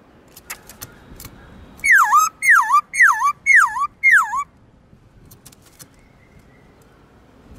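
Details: Kept black-throated laughingthrush in forest-voice song: after faint clicks, five ringing whistles that dip and then climb come at half-second intervals, followed by a low background hiss.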